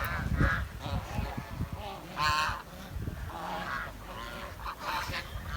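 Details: Quieter honking and chirping from swans in a village, a louder burst near the middle, set over low rumbling background sound.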